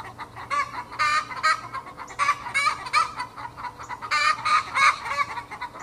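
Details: Australorp hens, 20 weeks old, kicking up a backyard fuss with the egg song usually heard after laying: rapid, rhythmic cackling, about three harsh calls per second, rising to louder bursts near the end, over a faint hum.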